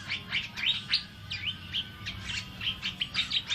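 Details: Asian fairy-bluebird singing vigorously for use as a tutor recording: quick chirps and short downslurred and upslurred whistles, about three notes a second in an irregular, chattering run.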